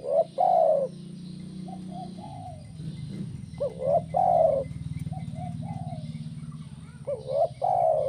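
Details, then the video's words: Tekukur (spotted dove) kuk 1 song, played to get other doves singing: short rising coos and longer hollow coos in repeated phrases, over a steady low mechanical hum. "SUARA BURUNG TEKUKUR KUK 1"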